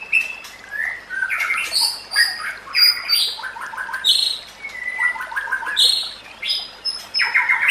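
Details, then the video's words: White-rumped shama song used as a training recording for other shamas: varied clear whistled phrases, some rising, mixed with fast stuttering rattles and high thin notes, continuous throughout. "Masteran Murai Batu"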